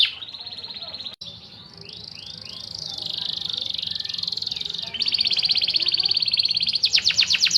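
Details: Canary singing with flat buzzy trills, soft arched notes and rapid rattling runs, heard against a noisier background.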